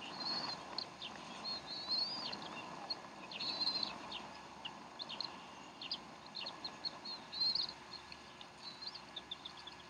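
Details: At the Decorah bald eagle nest on 12 April 2012, 3:10 pm Central Time, the mother feeds her young; high arched squeals mixed with quick thin chips, uneven in spacing, over a steady hissing background.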